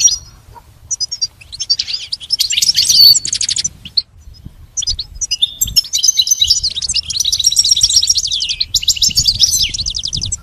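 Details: Pet goldfinch singing in bursts separated by short silences, mixing scattered chirps with dense stretches of rapid buzzy trills and twitters toward the end.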